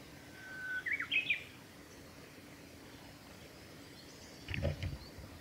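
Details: Female long-tailed rosefinch on the Hayatogawa forest road at Lake Miyagase, Japan, on 28 March 2020. It gives a quick run of three or four short, clear whistled notes, then a soft low rustle against a quiet outdoor background.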